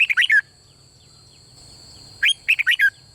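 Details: Red-whiskered bulbul in doubled-style song, used to stir birds into singing: rapid clusters of four or five liquid, fluting notes, a pause of nearly two seconds, then another cluster, with constant thin high tones behind.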